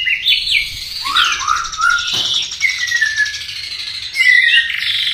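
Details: Murai batu, the white-rumped shama, singing in full 'gacor' form: clear whistled notes that slur down and rise, sometimes sweeping upward and sometimes falling, given in a flowing, varied phrase with little background noise.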